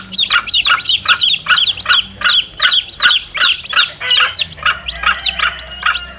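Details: Young chicks and their mother hen, used as a lure for wild junglefowl: high, thin, downslurred peeps in a fast series, paired with evenly spaced sharp clicks.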